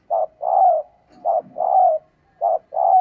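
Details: Calling female spotted dove, meant to excite males: three evenly spaced couplets of a brief coo and a drawn-out mellow coo, with a brief low grumble between them.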